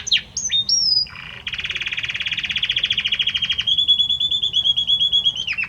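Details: A male Belgian canary sings to his female: a few high, sliding whistles, then a long, fast, rolling trill, and a second slightly higher trill ending in a quick downward flourish.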